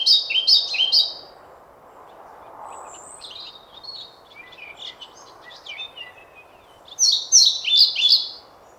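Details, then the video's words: Two loud bursts of rapid, high descending notes from a singing European pied flycatcher, separated by several seconds of softer scattered chirps and thin calls. "Мухоловка-пеструшка поёт"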